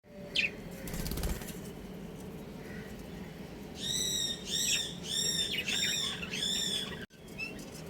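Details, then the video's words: Pet budgerigars, a breeding pair, give a short run of about five clear harmonic chirps in quick succession midway through, after a quiet stretch with a steady low hum in the background. "Adorable Budgies Chirping Sounds"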